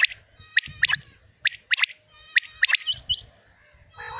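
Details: A Common Quail, recorded in the morning, gives sharp, liquid clipped notes in quick pairs and triplets, repeated about every second, with a faint buzzy hum behind.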